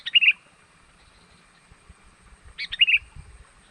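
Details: Sooty-headed bulbul lure call for attracting wild birds: two short, bright chirping phrases, a quick rising note followed by a warbled flourish, separated by a long quiet gap.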